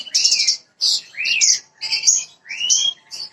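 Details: Branjangan bushlark song played to coax another bird into singing fast: rapid phrases of high buzzy chatter, each with a rising whistled slur, repeated about every half second.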